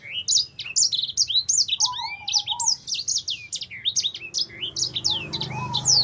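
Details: Black-throated canary (sanger) in energetic fighter-style song for training other birds: dense, quick high trills and swooping whistled notes throughout, a softer lower warbling whistle running beneath at intervals.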